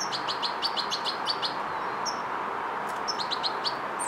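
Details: European goldfinch fledgling, learning motor control and coordination, gives quick bursts of high, thin chirps in rapid clusters, a pause, then another run, over a steady broad hiss.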